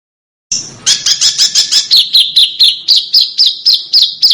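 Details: Small songbird from an Indonesian master recording for training cage birds: a rapid series of sharp, high chirps repeated about twice a second, dropping slightly in pitch partway through, clean and without background noise.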